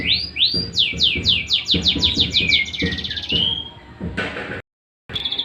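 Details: White-rumped shama singing its daily song: a fast series of high, upswept whistled notes repeated about twice a second, then lower sliding notes and a short silence before more high notes.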